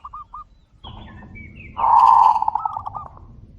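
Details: Zebra doves calling to one another: soft distant coo notes and thin high chirps give way to one loud, full, rolling cooing phrase that breaks into a quick series of trilled notes.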